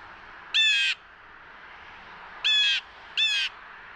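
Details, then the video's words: Blue Jay in Ontario, Canada giving three harsh, nasal, buzzy calls, each under half a second, the last two close together, over steady background hiss. "Two Blue Jay Calls"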